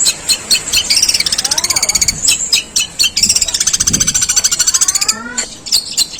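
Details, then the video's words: Long-tailed shrike, a contest prospect, delivering long, harsh sparrow-imitation bursts known as tembakan gerejaan: dense, very high rapid chattering pulses that run in long trains, with brief pauses and lower faint sweeping notes. "Suara pentet tembakan gerejaan panjang dan kasar"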